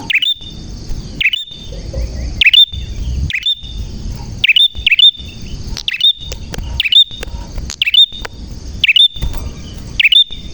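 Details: Chatty prenjak (prinia) singing clearly, giving a string of bright, high, down-swept chirps with a quick upward tick, spaced unevenly about twice a second, over a thin constant high tone and low rumble.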